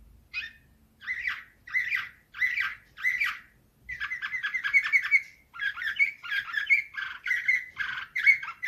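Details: Slavujar canary singing a nightingale-style song: bursts of buzzy, trilled phrases about a second apart, then a longer run of rapid chattering notes and rolling trills, with brief pauses between phrases.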